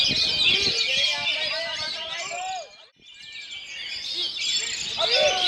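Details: Oriental magpie-robin (kacer) singing in a strong wind in a fast ngerol nembak style: dense whistled and twittering phrases break off briefly, then resume just as busy.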